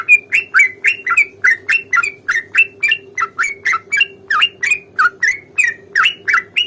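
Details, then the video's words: Sooty-headed bulbul fighting song in the long rapid 'ropel panjang' style, used to provoke another bird into replying: a fast, unbroken run of harsh, slurred chattering notes, about three to four per second, over a steady low hum. "trucukan gacor tarung ROPEL PANJANG pancingan trucukan agar bunyi"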